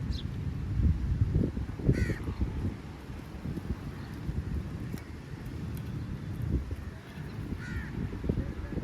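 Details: Angry crow feeding on meat, giving two harsh, hoarse caws a few seconds apart, one near the start and one near the end, over steady low rumbling background noise.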